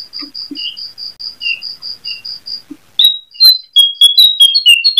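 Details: Brown-throated sunbird at night, in breeding condition, opens with a rapid, even series of thin, high notes, about four a second, then breaks into busier slurred whistles and sharp chips.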